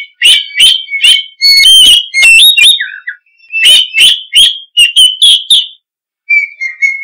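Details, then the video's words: Lively oriental magpie-robin song of bright whistled and sharp notes in quick series, high trilled whistles and low slurred notes, ending with a pause and a soft drawn whistle. "Suara Kicau Burung Kacer - Ngoceh Gacor"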